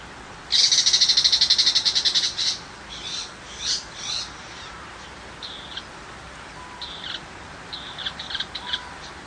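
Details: Tiger shrike in rural countryside: a loud fast rattle of harsh notes for about two seconds, then scattered short buzzy calls with pauses between, over a steady hiss of background noise.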